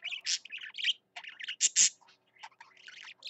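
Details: Parakeet (budgerigar), male, singing his heart out: quick jumbled chirps, harsh squeaks and clicking notes in a dense chattering stream with a few short gaps.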